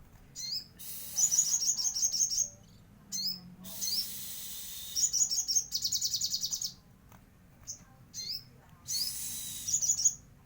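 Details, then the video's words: Sogon bird singing vigorously in gacor style with isian filling from Cililin: bursts of high, rapid chattering trills and sharp chirps, repeated in phrases a second or two long with brief pauses between. "burung sogon gacor isian Cililin"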